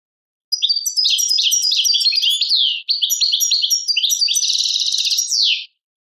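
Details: Goldfinch from Algeria singing Tadmait song: a continuous, hurried jumble of sweet chirps, squeaks and buzzing trills, briefly broken after two seconds, ending in a bright downslurred whistle. The background is silent.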